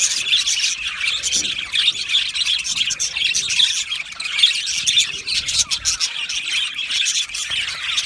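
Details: Budgerigar aviary colony singing and chirping, a dense stream of twittering warbles and quick chirps from numerous birds, steady and unbroken.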